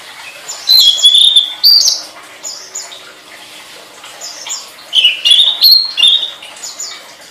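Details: Flowerpecker master song for training caged songbirds: two lively bursts of high twittering, each with quick rising slurs and a thin sustained whistle, separated by a few seconds of soft background chirping.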